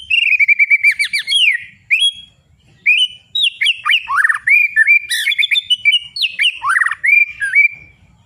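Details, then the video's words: White-rumped shama song for stimulating other birds: rich, varied whistled phrases with rapid falling and rising slurs and brief trills, delivered in quick bursts. "suara penggugah Burung murai batu"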